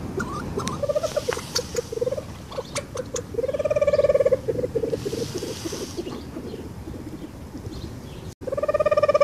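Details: Reeves's pheasant (Syrmaticus reevesii) gives mid-pitched, wavering calls, some drawn out for about a second, over a steady background of soft clicking and rustling.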